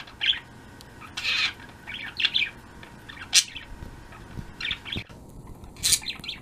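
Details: Pet budgerigars in a flock chattering in the afternoon, 02.03.16: a lively run of chirps and rasping trills, some longer warbled bursts, irregularly spaced about a second apart, with a brief soft thump.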